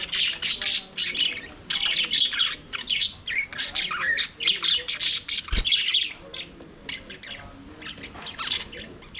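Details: A flock of budgies in an aviary, singing and playing, keeps up a dense, continuous warble of rapid chirps, squeaks and scratchy notes with almost no pause.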